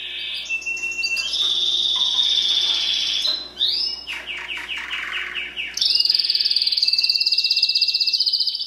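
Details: Timbrado canary singing: sustained rolling trills at steady pitch, a brief break into quick descending swoops, then a higher, very fast rattling trill held to the end.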